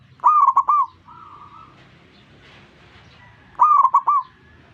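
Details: A zebra dove calling other doves to join its song. Two loud phrases of rolling, pulsed cooing come about three seconds apart. A softer, level coo from another dove follows the first phrase, with some faint scratchy noise.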